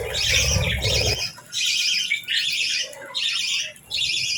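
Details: Real budgies chirping in the morning during feeding and bath time: bursts of raspy warbling chatter separated by short gaps, with a low rumbling noise at the start.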